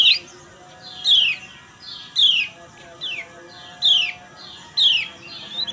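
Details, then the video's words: Yellow white-eye (kecial kuning) female calls used in the morning to provoke males into singing: sharp, high downslurred chirps repeated about once a second with brief softer notes between. "CIAKAN BETINA DAN SUARA NGEJOS MERANGSANG KECIAL UNTUK BUNYI"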